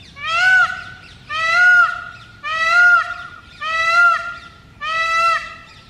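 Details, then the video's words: Wild male Indian peafowl calling loudly from a house roof in early morning, close up: five loud, nasal, wailing cries with rich harmonics, each rising then sagging at the end, about every 1.2 seconds. "Loudest Peacock Ever - Wild Peacock Calling Sound. Mor ki awaaz"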